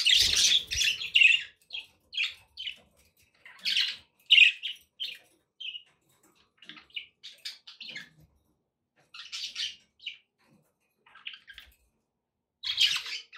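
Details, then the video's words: Budgerigars kept as pets give a loud burst of chattering, then scattered short buzzy chirps and twittered phrases with brief pauses, rising again to a scratchy warble at the end. "budgie sounds to encourage your parrot to eat and sing"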